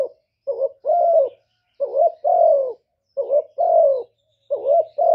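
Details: A run of four spotted dove coos, each with a brief wavering note before a long, gently falling tone, repeated at a steady pace in quiet surroundings.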